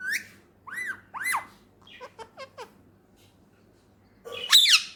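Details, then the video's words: Indian ringneck parakeet, a talking pet, utters arching harmonic squeals, then a string of short clipped notes, a pause, and a final loud harsh squawk; quiet room otherwise. "بولنے والا طوطا"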